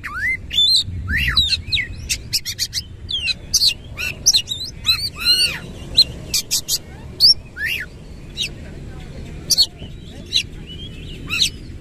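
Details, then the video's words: White-rumped shama delivering a rough, busy song with tail fanned: dense clicks, V-shaped whistles and buzzy notes in rapid bursts, thinning into spaced sharp clicks later, with faint background noise. "KACER GACOR BONGKAR ISIAN KASAR BUKA EKOR"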